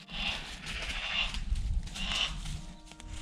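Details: Harris's hawk hunting in a wood with a falconer and dog, calling while following a running pheasant to signal the falconer to come and flush it; three harsh, drawn-out rasping screams over low rumbling background noise.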